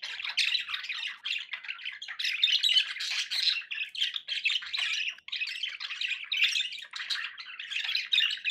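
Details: Several budgerigars kept as pets keep up continuous warbling chatter, raspy squawks and quick chirps layered over one another, steady in loudness with one brief gap near the middle.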